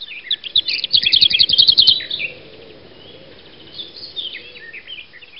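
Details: A breeding lesser whitethroat gives a brief high chatter running into a dry, fast one-pitched rattle, then quieter scratchy warbling; cuckoo and garden warbler heard behind; Asköviken nature reserve, Sweden.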